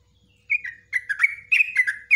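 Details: Quick run of rich gurgling notes rising and falling, a yellow-vented bulbul's nguklik ngecruk ropelan song used as a model for cage-bird training.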